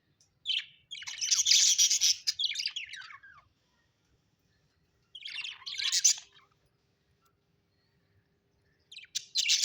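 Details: Pet budgerigars, described as happy: bursts of dense, scratchy chattering and high chirps lasting a few seconds, separated by quiet gaps, with another burst starting at the end.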